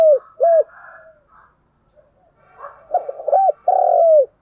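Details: Spotted dove decoy bird cooing to provoke rivals: a short hollow coo, then quiet muttered notes and a pause, followed by a rough stammering run, two clipped coos and one long drawn-out mellow coo.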